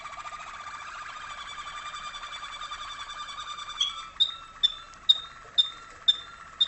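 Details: Waterslager or malinois canary, a father or tutor bird heard by 2011 youngsters in training cages in a darkened room, North Canton, Ohio: long continuous bubbling, watery roll for four seconds, then sharp clicking strokes repeated roughly every half second.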